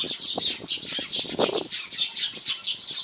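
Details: Eurasian tree sparrows at a homemade bird feeder on Jeju Island, recorded on a Sony X3000: a steady stream of bright, high chirps repeated about three to four times a second, with faint rustling below.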